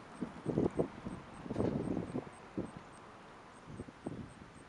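Wood stork giving low, hollow clattering bursts in irregular clusters over a few seconds, with a faint high hiss in the background.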